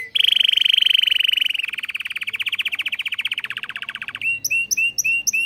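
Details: Caged canary in a breeder's canary room singing a rapid, even trill of repeated notes that slows into separate pulses, then ends in loud, bright, sweeping whistled notes repeated about four times a second.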